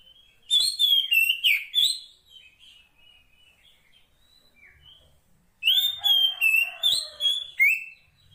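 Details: Calling female Oriental magpie-robin, wild bird summoning a male: two loud rapid phrases of bright whistles and quick slurred notes, each about two seconds long, with a quiet pause between.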